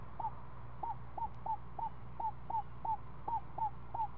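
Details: Screech owl nest with a seven-day-old owlet being fed snake in the afternoon: about ten short, hooked mid-pitched notes in an uneven series, with a faint background hum.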